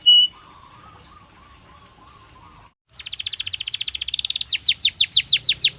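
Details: Caged canary during breeding season: after a faint steady low hum, song begins with a soft rapid trill that grows louder, then a set of strong falling whistled notes.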